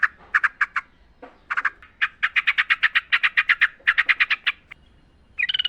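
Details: A sooty-headed bulbul in the wild, recorded as a training lure for caged birds, chatters in dense runs of sharp chirps, many per second, and ends with a brief higher trill.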